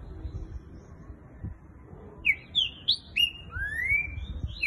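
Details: Green-winged saltator with fast "boiadeiro"-style song gives a quick burst of loud, clear whistled notes, ending in a long rising whistle, after two seconds of low background rumble.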